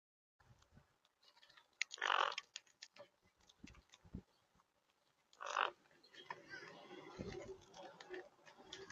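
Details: Wild monk parakeets feeding on sunflower seeds give two loud, harsh, grating squawks about three seconds apart. Softer clicks and crunching come between them, and a rough, noisy chatter follows the second squawk.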